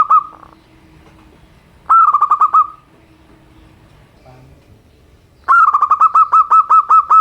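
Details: A local zebra dove gives its simple song, runs of rapid pulsed coo notes at a steady pitch, the last run longer, with a faint low steady hum in the background.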